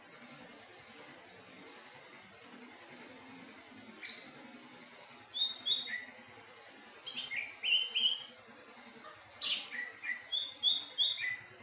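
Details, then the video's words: Anis teleng thrush song: two loud high descending whistles, then scattered twittering phrases mixing sharp high clicks with lower slurred notes, delivered in separate bursts with quiet gaps and faint low background noise. "Burung anis teleng suara merdu"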